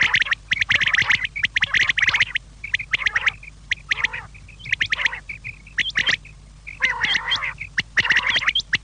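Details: Evening quail calls: dense clusters of rough, squawking notes alternate with thinner, higher chirps in an uneven rhythm over a faint constant hum.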